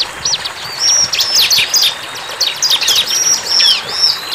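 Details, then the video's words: Wild bar-winged prinia singing hard: rapid high chips mixed with thin, level whistled notes, in several close bursts over light background hiss. "CIBLEK GACOR"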